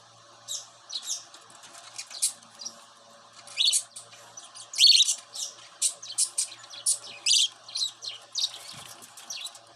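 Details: Young pet cockatiel, raised indoors from a baby, chattering in a dense run of quick high chirps and squeaky notes, loudest near the middle, with faint room hum underneath.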